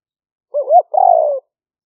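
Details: Spotted dove, a live recording in rice fields during the rainy season near Tao Lek, Roi Et, Thailand, used as a trapping decoy in the liu-fueang middle-voice style: a short rising coo, then a longer, slightly falling, rolling coo, in quiet surroundings.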